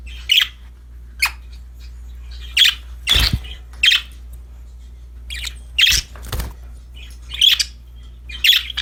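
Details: Playing with a new toy, happy budgies give sharp, rasping chirps about once a second, spaced by short silences, with two dull knocks from the toy or cage mixed in.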